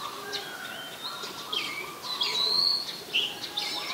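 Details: Oriental magpie-robin in Ubon Ratchathani, Thailand, 20 March 2022, Nikon P1000: short, scattered whistled notes with one clear rising whistle mid-way, softer chirps around it and a faint background drone.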